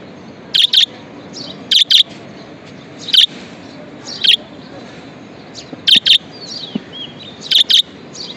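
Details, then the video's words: Budgerigar kept as a pet, calling in crisp double chirps spaced a second or more apart, with a few soft twittering notes between. "Happiness Budgie"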